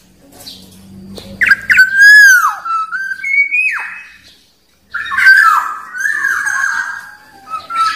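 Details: Black-naped oriole (kepodang) calling after a faint low hum: mellow whistled phrases with rising and falling slides, a pause, then a longer warbled whistle sequence.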